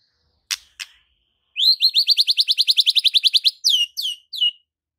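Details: White-rumped shama singing a varied full song for tutoring silent birds: two sharp clicks, then a rapid rattle of about twenty high rising chirps, ending with three downward-slurred whistles.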